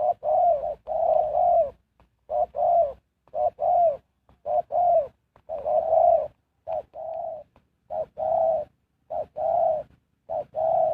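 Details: A spotted dove serving as a trapping decoy repeats soft, low coo phrases, a quick note leading into a longer hum, roughly once per second over a long run.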